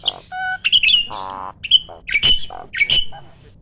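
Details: Competition starling kept in a cage sings a loud 'tembakan' burst. Short nasal squawks and buzzy harmonic notes are mixed with shrill upward-flicking whistles in quick succession.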